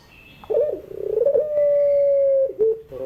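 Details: Afternoon coo of a puter pelung (Barbary dove), played to tutor birds learning to sing: a short throaty burst, a fluttering rolled phrase, then one long level mellow note held about a second, then a brief closing coo.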